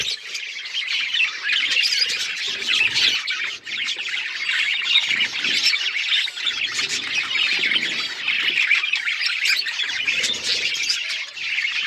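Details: Several pet budgerigars, called beautiful budgies, chirp and chatter together in a dense, continuous warbling of high squeaky notes and scratchy trills, with brief lulls and no other clear sounds.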